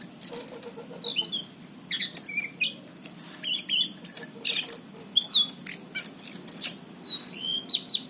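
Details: Orange-headed thrush kept as a cage bird in Cirebon, recorded in 2019, in energetic full song: a rapid, varied stream of high chirps, sharp slurred whistles and clicks in quick bursts, with almost no pauses.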